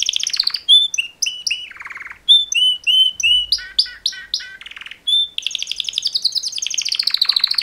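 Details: Mating-call song of two male canaries used for training: rapid trills open into clear whistled and sliding notes repeated in quick series, then a long rolling, rising and falling trill carries to the end.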